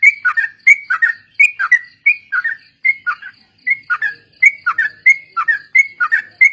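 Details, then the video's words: Sooty-headed bulbul song used as a lure for training birds, in ombyokan and ropel style: lively repeated whistled couplets, about two per second, with short pauses and faint high ticking behind. "suara burung trucuk||pancingan bahan ombyokan dan ikut ropel"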